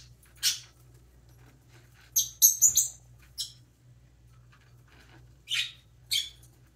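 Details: Baby parrotlet chirping as it preens: scattered thin, high chirps, a quick cluster of three in the middle, then two more spaced notes, with a faint low hum throughout.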